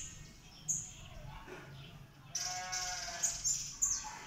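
Northern red bishop giving sharp, high chips, then a dense, buzzy, sizzling burst from midway with a few bright chip notes on top; faint background noise.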